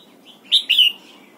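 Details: Red-whiskered bulbul in morning song training for the double-note wild-forest style, giving two loud, clear whistled notes in quick succession, the second longer and slightly falling, over quiet background.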